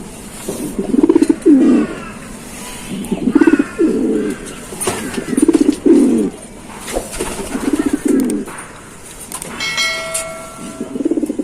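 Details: Giribaz pigeons cooing: low, rolling, throaty coos in repeated bouts about every two seconds, with clicks and a brief high tonal noise near the end.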